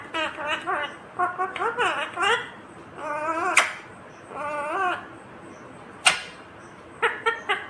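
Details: Ringneck green parrot chattering in speech-like bursts: rapid strings of short tonal syllables with rising and falling inflections, broken by two sharp clicks, continuing steadily across the recording.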